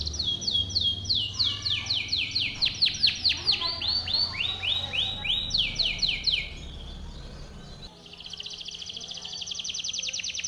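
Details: Timbrado canary delivering a powerful training song: bursts of bright descending sweeps rolling in quick sequences for six seconds, a brief pause, then a fine rapid trill held high and even.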